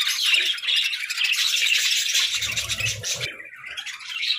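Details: Pet budgerigars chirping happily and playfully: a dense, continuous high twittering chatter with squawky notes and warbling from several birds, briefly thinning near the end, with faint low thumps underneath.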